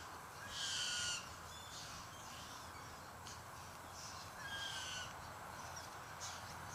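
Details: White-winged choughs behaving oddly near a tree after feeding on a kangaroo carcass, roughly 60 to 70 birds around. Two loud grating bursts with whistled tones are spaced about four seconds apart, with fainter calls between.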